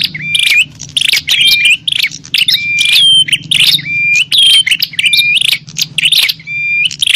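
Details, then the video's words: Noisy bar-winged prinia fight call for luring wild birds: repeated bursts of gritty chatter, each tipped by a ringing whistled note, coming quickly one after another, soft low hum throughout. "Suara burung prenjak pikat - prenjak tarung ribut ampuh memanggil prenjak liar"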